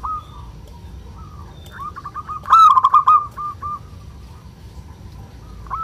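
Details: Local zebra dove giving its kerot-style song, used to raise breeding urge and prompt other doves to call: a soft, fast rolling series of short coos around a steady pitch, briefly louder in the middle.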